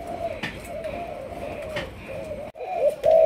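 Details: Captive young spotted dove of Malaysian stock, in decoy training, cooing in a steady low drone of blurred, slightly wavering notes; after a brief gap the coos return louder and clearer, over faint clicks.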